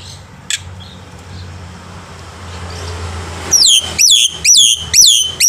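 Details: Black-winged myna in morning song meant to tutor young birds; after a quiet start come four loud, harsh descending squawks about half a second apart over a low hum.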